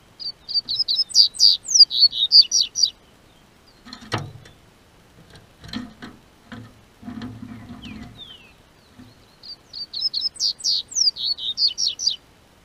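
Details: Double-collared seedeater from a registered breeder in southern Brazil, singing as spring warms: two bursts of rapid, high, slurred notes separated by a stretch of knocking and rustling handling sounds.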